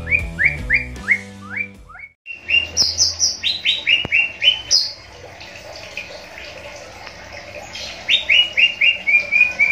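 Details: Captive greater green leafbirds being paired for breeding, showing whether they are compatible, give rapid, bright, rising-and-falling whistled notes about four a second in quick series, after a short musical tone passage.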